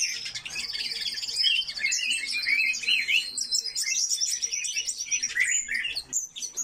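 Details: Continuous high twittering from a group of caged coal tits in an aviary: thin, rapid, trilled chirps layered over each other, with quick rising squeaks toward the end.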